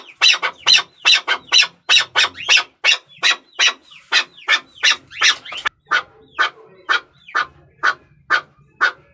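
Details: A series of harsh chukar notes, fast and even at first, then thinning into more spaced calls, with a soft low background murmur.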